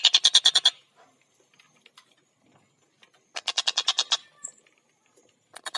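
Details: Collared kingfisher, locally tengkek buto, calling in speedy gacor style: a quick series of harsh chattering notes, a long gap with faint chirps, a second burst of about nine notes, then a few more at the end.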